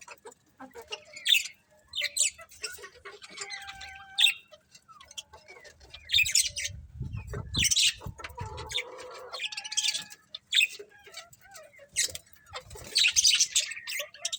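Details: Budgies in a happy colony keep up scattered high chirps and buzzy chatter notes, with a few brief thin whistles and occasional soft low rumbling beneath.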